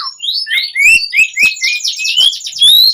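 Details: Asian pied starling song used as a lure to make captive starlings sing; a rapid, dense run of rising whistled slurs and buzzy, rattling notes with high chatter layered over them, plus a few soft low clicks.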